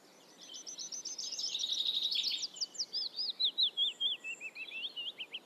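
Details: Eurasian reed warbler singing: a fast, churring run of dense notes that builds in loudness, then breaks into a series of separate, sharply repeated chirps. Background is quiet apart from faint ambient hiss.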